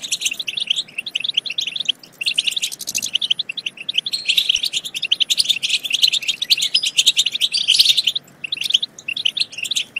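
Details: European goldfinch song used to urge goldfinches into singing and mating: a long run of fast chirps, buzzy trills and rattling twitters, dense and steady, with brief lulls between bursts.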